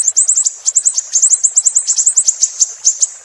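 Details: Tutor recording of a Siri-siri's song for training songbirds: quick, sharp, very high twittering notes strung into rippling trills, roughly several notes per second, clean background.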